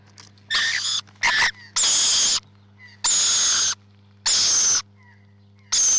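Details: Harsh, noisy screeches from nesting rainbow lorikeets come in bursts of about half a second, with one quick double burst. They alternate with soft chirps and quiet gaps, over a faint constant hum.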